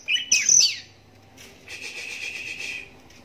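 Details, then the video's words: Oriental magpie-robin song, one-eyed captive bird drawing replies from other magpie-robins; loud slurred whistles open the phrase, then a pause and a long buzzy rasping rattle. "Walau Matanya Buta Tapi Suaranya Mampu Bikin Kacer Lain Langsung Nyahut"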